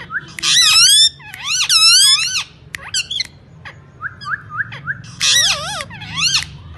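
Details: Talking parrot mimicking speech: squeaky, wavering voice-like phrases with strong bends in pitch, given in bursts with short pauses, plus a few sharp clicks and softer whistled notes.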